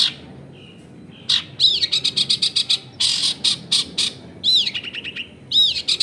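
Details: Long-tailed shrike song used as a lure: after a quiet start, loud fast trains of harsh, buzzy high notes, with swooping whistled phrases, against a steady low background noise.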